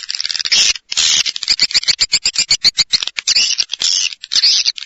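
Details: Rapid high twittering from swiftlets: clipped chirps alternate with short smeared buzzy bursts, repeated about twice per second in an uneven rhythm.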